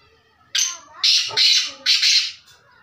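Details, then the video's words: Grating, buzzy call of a black francolin (kala teetar): a short rasp, then two long harsh notes and a final doubled note, with a faint low thump mid-phrase. "Black Francolin Voice | Kala Teetar Ki Awaz 2021 کالا تیتر کی آواز"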